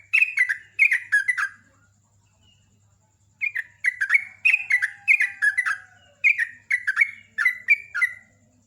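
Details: Sooty-headed bulbul delivering a fast, loud 'ropel' song: clusters of bright, bubbly, falling whistled notes in quick phrases of three or four, with a pause of over a second between groups.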